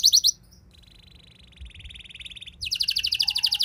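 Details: Canary singing as a lure to provoke other canaries into singing; a brief high burst, then a quieter buzzy trill that grows louder into fast repeated high sweeps.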